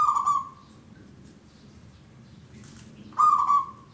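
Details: Zebra dove of the local type singing a long song for luring birds: two clear cooing notes about three seconds apart, each starting with a rough burst, then a quiet gap.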